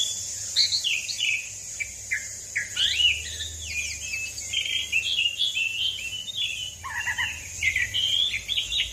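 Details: Long rolling song of a lively Asian pied starling, used to coax other birds into song: dense chatter of quick whistles, squeaky slurs and chirps jumping between pitches without pause, over a faint low background hum.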